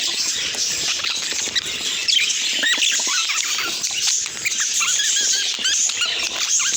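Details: Budgerigar chirps: constant high-pitched twittering of several birds, with short hooked and wavering chirps popping out at irregular moments throughout.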